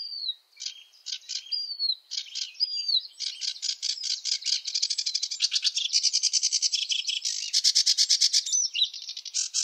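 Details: Varied sedge warbler song: squeaky whistled notes and chips at first, then building into a fast, continuous, rattling chatter of harsh repeated notes.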